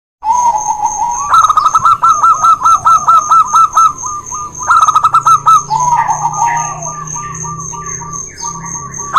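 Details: Zebra doves, a local bird against a white one in a singing duel, used as a lure for doves reluctant to sing: a soft coo, then bursts of rapid staccato cooing notes, a second caller answering, over a steady high-pitched whine.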